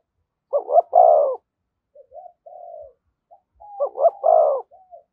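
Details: Spotted dove beside a decoy bird, calling in thúc gù style. A double hoot with a long deep coo comes first, then a low, hesitant murmuring interval. The phrase then repeats, ending with a short falling note.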